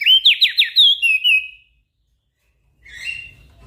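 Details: Javan grey-throated white-eye singing energetically (gacor) for training small birds: a fast burst of downslurred whistles lasting about a second and a half, silence, then a faint rough note.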